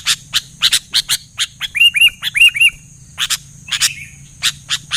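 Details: Sooty-headed bulbul singing actively, with other bulbuls answering quickly: a brief run of looping, whistled notes, repeated three or four times, set among many sharp, dry chip notes.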